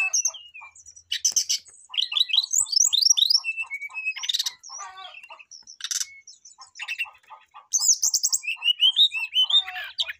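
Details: Persistent song of a brown-chested jungle flycatcher calling out a rival: dense medley of sharp rising whistles, trills and noisy bursts, backed by an evenly repeated low tick.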